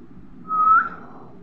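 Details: Baby parrot giving a single smooth whistled call, held level then rising slightly at the end, lasting about a third of a second over a low background hum.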